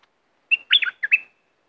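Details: One bulbul phrase from southern Thailand, played to stir up birds for trapping: a clear opening whistle, then a tumbling, rising-and-falling warble and two final bright notes.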